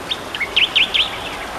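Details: Tektekreyod bird calling a quick run of three loud, bright V-shaped chirps, dipping and rising, after a few softer lead-in notes.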